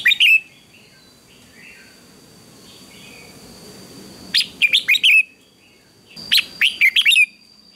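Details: Red-whiskered bulbul singing during a morning contest: a short note at the start, then two lively bursts of four or five warbled, sliding whistles about two seconds apart, with faint chirps from other birds in between.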